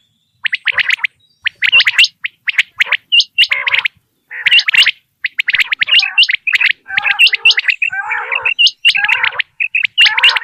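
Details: Common quail call used for quail hunting, a famous recording from Dera Ghazi Khan: dense bursts of sharp, high, clipped notes repeated in runs, with rougher, lower overlapping calls toward the middle and end.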